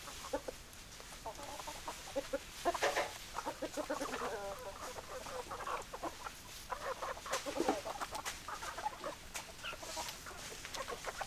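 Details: Hens and roosters clucking together, a busy flock with overlapping low clucks and drawn-out squawking notes, some rising and falling, amid steady background noise.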